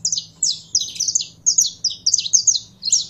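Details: Caged Saffron finch getting fired up: quick pairs and triplets of high, sharp downslurred chirps repeated steadily every few tenths of a second, over a faint low hum.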